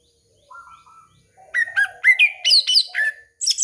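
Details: Orange-headed thrush song used to lure young birds: soft low whistles open, then a loud, rich run of varied warbled and chirped notes, each phrase changing pitch, in a quiet setting.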